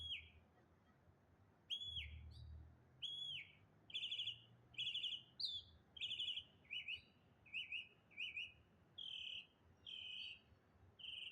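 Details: One bird in the morning giving varied calls: clear whistled notes that bend down, alternating with short rattling, buzzy bursts and quick paired chirps, delivered steadily about once a second, with a low rumbling hum early on.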